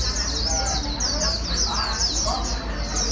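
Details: White-eye song: a wild-caught 'bổi' bird being stimulated to sing fast ('mau líu'). Dense, high twittering phrases of quick sliding notes run without a break, over a steady low hum.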